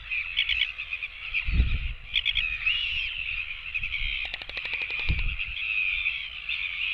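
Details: Royal albatross chicks begging for food give a steady whining drone broken by a quick burst of dry rattling clicks, with wind gusts in the background.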